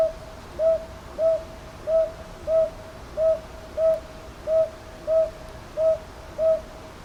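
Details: Northern boobook calling at Ichijoji, Sakyo Ward, Kyoto, 22 May 2023, TASCAM DR-100MKIII: ten clear, mellow hoots in a very regular series, roughly one every 0.65 seconds, with a quiet backdrop.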